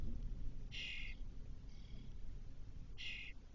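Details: Spotless starling chick in a nest box in a cork oak, Doñana National Park, Spain, spring 2023; the eldest fledgling has returned four hours after first leaving. Two harsh, rasping bursts about two seconds apart, with a fainter one between, over low rumble.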